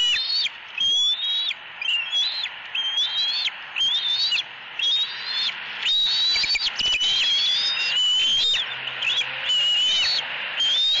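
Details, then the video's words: Young eagle in Southwest Florida on 4.3.18, screaming at its mother for food as the parents bring a fish to the nest. Loud, high whistled squeals rise and fall, about once a second, with a harsh buzzy edge and a steady background hiss. "Screaming E11"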